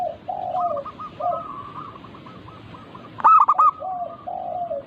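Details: Local zebra doves used to prompt singing: low, drawn coos alternate with quicker, higher cooing rows, then a loud, stuttering coo burst past three seconds and low answering notes.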